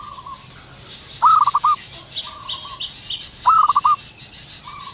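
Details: Local zebra dove singing with gusto in the wild at morning, two loud rolling series of short coos spaced about two seconds apart, a distant dove cooing softly between, and scattered high chirps of other birds.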